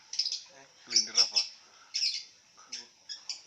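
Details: Lovebird lying down while calling, giving quick bursts of shrill chirps and rasping chatter, several notes bunched together then spaced out, all high and piercing, with brief pauses.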